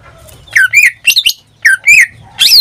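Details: Greater green leafbird kept as a pet, in strong daily song: three short clusters of slurred whistles and chattery notes separated by brief gaps, with low background hum.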